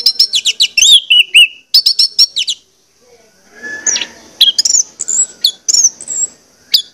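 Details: Orange-headed thrush song used to encourage singing: rapid high trilled notes and a descending slur, then softer scattered whistles over faint background noise.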